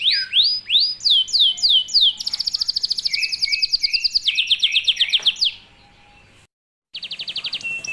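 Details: Canary in 'tembakan rapat' style, a tight-burst song used to coach young canaries: descending swoops, then a long even buzzy trill and a lower rolling phrase, a short silence, and the trill resuming.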